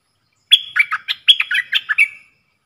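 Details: A caged red-whiskered bulbul dueling in song with wild birds, in the dok taeng style, Thailand, 3 October 2021: about ten quick, bright warbled whistles in one flowing phrase ending in a drawn-out note.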